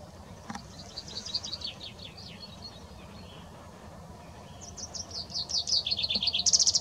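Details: Two bursts of rapid, descending trilled notes from a common chaffinch, one early and a louder one near the end, over steady hissing background noise.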